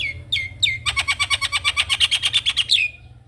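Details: Head-nodding Javan myna, a singing master for young birds; two falling whistles then a rapid, even rattle of roughly twenty bright pulses ending in a rising whistle.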